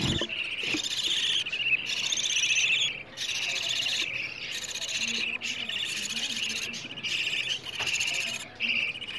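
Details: Several budgerigar chicks begging for food, played to stimulate budgies to mate and raise more chicks: dense, overlapping rasping calls running almost without pause, briefly dropping out a few times.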